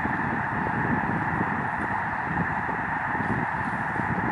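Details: Migrating flock of snow geese on Lake Springfield, Illinois, heard from the shore at Lincoln Memorial Garden: a dense, continuous roar of countless overlapping honks, steady in loudness throughout.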